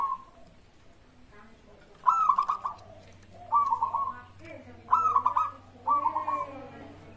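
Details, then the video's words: Local zebra dove song used as a lure to prompt other birds to sing; four short phrases of quick, rolling coos, each under a second, spaced about one to one and a half seconds apart over a steady low hum. "pancingan burung perkutut gacor suara disukai bikin cepat bunyi langsung nyaut"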